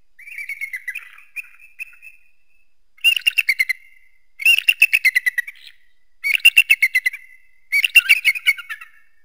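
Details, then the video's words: Eagle giving high, squeaky whistled notes, first a drawn-out wavering phrase, then four rapid bursts of staccato chittering about two seconds apart, each burst a fast series of sharp piping notes. "Eagle sounds"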